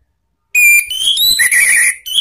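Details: Orange-headed thrush, a cage bird, heard as a lure recording: a loud, continuous run of clear whistles that step upward, then tumbling slurred notes with thin high squeaks layered over them.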